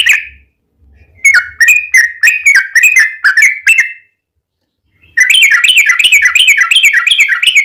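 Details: Yellow-vented bulbul song used as a lure to make other bulbuls sing: rapid chattering bursts of bubbly notes around the upper-middle pitch, a run of about nine separate warbled phrases, a pause, then a dense continuous burst.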